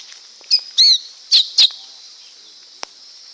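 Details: Lesser green leafbird song: four quick bright chirps in about one second, some with slurred downward sweeps, then a pause and a faint click, over constant high background hiss.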